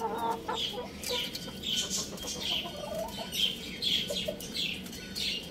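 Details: Young roosters and chicks playing at home; a steady run of high, thin peeps, each sliding downward, repeated roughly every half second over a low background hum.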